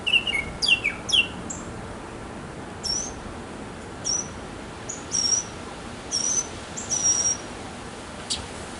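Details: Backyard mockingbird singing to attract a female: a few quick chirps, then a series of thin, very high whistled notes repeated about once a second over quiet background.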